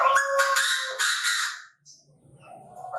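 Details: Chinese francolin from Bình Thuận, Vietnam, recorded in a trapping context. One loud, rough, harmonic crowing burst lasts under two seconds and then fades into quiet low rustling.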